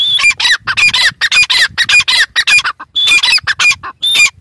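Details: Loud partridge call of harsh, scratchy notes delivered quickly and steadily, with thin whistled accents woven between the bursts.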